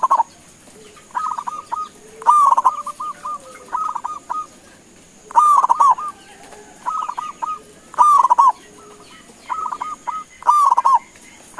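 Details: Calling zebra dove of local stock, meant to draw replies from other doves: five rhythmic phrases, each a bright leading note followed by several short evenly spaced coos, spaced two to three seconds apart over a faint steady hiss.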